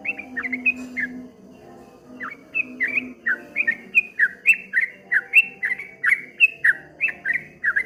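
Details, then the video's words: A short burst of chirps from a streak-eared bulbul, then a brief lull, then a fast rolling 'ropel ngombak banyu' run of slurred whistled notes, accompanied by low humming tones. "suara burung trucuk kebo bunyi ropel ngombak banyu"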